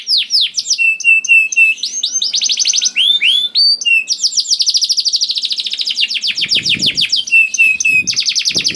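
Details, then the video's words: Canary song played to prompt slow or reluctant canaries to start singing: rapid repeated downward-sweeping trills, steady whistled notes and dense buzzy rolls, phrases changing every second or two, with faint low knocks late on. "KENARI GACOR DOR INI MEMANCING KENARI YANG SUSAH BUNYI JADI IKUT GACOR"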